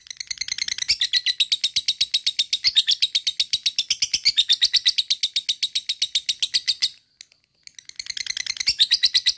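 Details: A lovebird's drawn-out ngekek trill, aimed at pushing other lovebirds to sing; dense, rasping high chatter of quick repeated notes running about seven seconds, a short silence, then the trill starting again.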